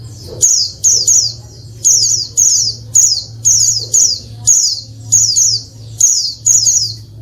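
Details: Noisy female Oriental white-eye calls intended to get males singing as in the wild. Steady series of high squeaky notes falling in pitch, mostly paired, nearly twice a second, with low hum beneath.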